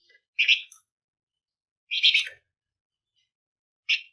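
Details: Flamboyan bird calling persistently in dense bursts, a lure recording to set other birds singing: three loud, harsh, buzzy chatters spaced about one and a half seconds apart.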